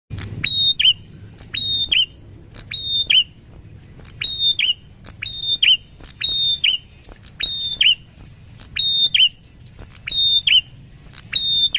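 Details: Wild prinia calling steadily: each phrase is a sharp click, then a long, level, high whistle and a quick down-slurred note, repeated roughly every 1.3 seconds over a low background hum.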